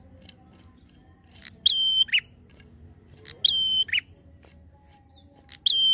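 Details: Prinia singing in the fast drawn-out 'ngalun' style, used to provoke untrained prinias: three phrases, each a sharp high note, a steady level whistle and a lower falling note, about two seconds apart, over faint low background hum.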